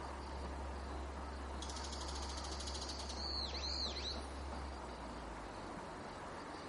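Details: Azure-winged magpies in a flock on a waterside willow in Japan, early November 2011, preening and calling to one another: a harsh, buzzy rasp, then two or three quick arched notes over a steady low hum.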